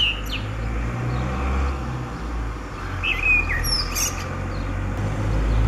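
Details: Blackbird singing on 29 April 2019 in spring: a brief high note early, then a fluted phrase ending in sharp high squeaky notes, with a strong low rumble like distant traffic throughout.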